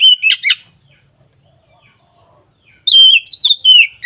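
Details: Oriental magpie-robin song used as a lure to make a quiet magpie-robin sing: two bursts of loud, clear whistled and chattering phrases around a silent gap, notes sliding and warbling high.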